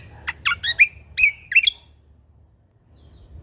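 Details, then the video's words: Sumatran leafbird from Lombok singing actively: a rapid run of six or seven sharp, sweeping chirps within about a second and a half, then silence. "Cucak Kombo Lombok Gacor Isian Alam Bikin Semangat Burung Bunyi"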